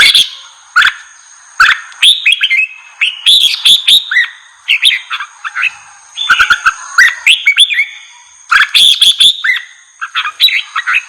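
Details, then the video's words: Lively red-whiskered bulbul song used to provoke wild birds into a fired-up response: clustered chirpy, warbling whistled phrases separated by short pauses, with a constant thin high-pitched tone in the background. "GIỌNG CHÀO MÀO KÍCH BỔI _ KÍCH CHÀO MÀO BỔI CĂNG LỬA"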